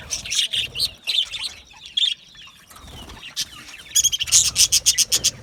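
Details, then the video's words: Budgerigar chirping with scratchy warbled notes and thin sliding whistles, ending in a loud, rapid series of sharp, evenly spaced chirps. "Australian Budgie parrot chirping sounds"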